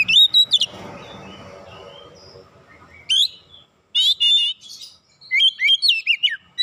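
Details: Oriental magpie-robin singing loud clear whistled phrases in bursts, some trilled and warbling, with a rustling low noise and brief quiet gaps between phrases.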